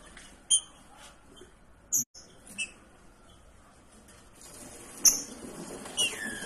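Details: A female green-winged saltator in breeding season, calling for a mate, gives about five thin, high, clipped chips at uneven intervals over a quiet background hiss.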